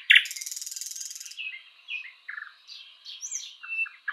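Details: Thrush nightingale in a spring forest, quieter here: a brief dry rattle followed by soft, scattered whistled and piping notes at moderate pitch with pauses between them.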